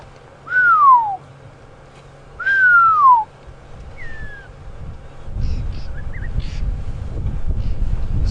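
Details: Pearl-spotted Owlet calling at sunset in the Djuma area, South Africa, possibly being mobbed by alarm-calling birds: two long, clear downward-sliding whistles, then a shorter higher one; a low engine-like rumble and faint bird chips follow.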